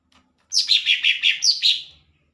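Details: Lesser green leafbird (cucak ijo) singing six or seven sweet, ringing whistled notes in a fast, steady series, some stepping down in pitch.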